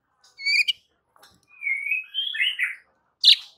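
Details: White-rumped shama song used to provoke rival birds into agitation: scattered clear whistled notes and a slurred rising-falling warble, with sharp high clicks between phrases.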